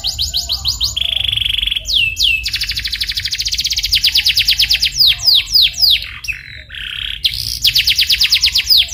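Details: Canary lure song to make a canary start singing: varied sequence of rolling high trills, descending swept whistles and pulsed chirps, loud and continuous.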